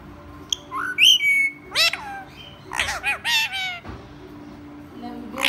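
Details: Captive rose-ringed parakeet talking, imitating human speech: a string of harsh squawky syllables and slurred whistled notes in quick bursts, with a steady low hum in the background.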